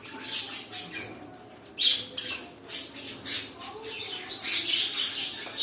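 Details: Pet cockatiels giving a run of harsh, scratchy squawks in short bursts through the clip. One brief sharper note cuts through midway, over a steady low room hum.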